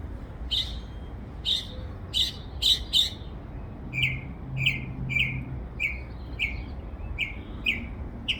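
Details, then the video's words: In a backyard, a bird said to make over 20 different sounds gives sharp, clicky chips, then switches to a steady series of short buzzy chirps about half a second apart, over a low hum. "A bird twitterings more than 20 different sounds in my backyard."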